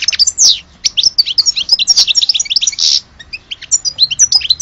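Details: Goldfinch song, presented as the true goldfinch of Alge: fast tinkling twitters mixed with brief harsh buzzy bursts, one near the start and one near the three-second mark, then scattered chirps.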